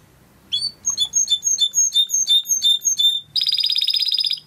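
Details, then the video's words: Timbrado canary training song: a chirp opens a steady series of clear two-tone notes repeated roughly every fifth of a second, which breaks into a fast, buzzy rolling trill. "Υour canary will sing UNSTOPPABLY"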